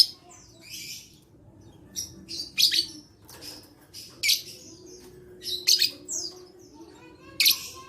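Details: Lovebird chattering song, dated 11/4/21, used as therapy so that reluctant lovebirds start singing: a series of five or six harsh, high, buzzy bursts spaced about one to one and a half seconds apart, with faint twittering between.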